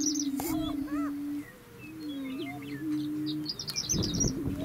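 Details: {'text': 'Displaying Greater Prairie-Chickens on a lek near McCook, Nebraska: low moaning booms that briefly pause and resume, arched cackling whoops, a camera click, and high sparkling notes of Horned Larks and Western Meadowlarks behind.'}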